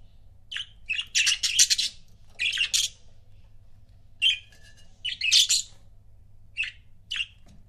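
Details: Pet budgerigar couples chirping indoors: bursts of harsh, scratchy chatter and short squawky notes, some runs of rapid buzzy syllables, separated by brief pauses over a faint low hum.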